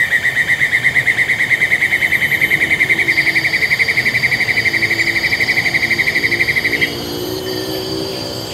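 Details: Recorded in 2022 at Taman TAR, Congkak, West Malaysia, a black-and-yellow broadbill gives a long fast pulsing trill for about seven seconds that stops abruptly, leaving soft background hum and distant calls.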